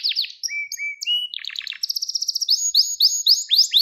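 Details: Gloster canary song used to stimulate males into breeding condition. Down-slurred notes lead into lower whistled phrases, a burst of broad chips, a rapid trill and rising sweeps.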